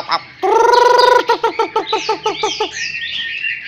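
A Chinese hwamei opens with a long nasal note, then gives a quick run of about ten clipped notes before a high, rambling warble.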